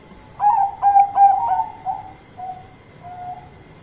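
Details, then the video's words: A Bangkok-type zebra dove calling loudly to a companion: a quick run of four soft, rolling coos, then two fainter, drawn-out notes trailing off, over a low background hum. "Perkutut Bangkok Gacor Suara Keras Panggil Teman"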